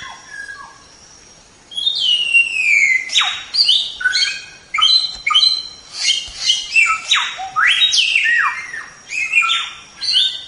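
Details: White-rumped shama tutor song: after soft opening notes, a long falling whistle launches a rapid series of steep downward sweeps, chirps and trills, continuing energetically to the end.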